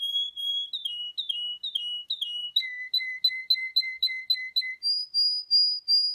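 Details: Singing male canary of the Russian breed, noted for its high range: sliding whistled phrases repeated several times, a quick run of clipped paired whistles, then steady piercing high whistles at the end; nothing else audible.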